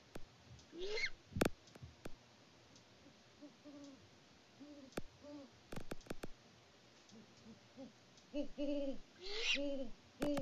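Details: Mated great horned owls on a Kansas farm near Peabody, February 2024, hooting between each other: faint, low, evenly pitched hoots scattered through the recording, interrupted by sharp clicks and bumps from the camera setting.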